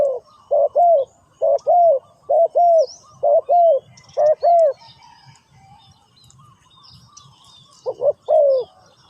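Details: Spotted dove giving a steady series of low, soft paired coos about once a second, a pause of several seconds, then more coos; faint high twittering of small birds behind.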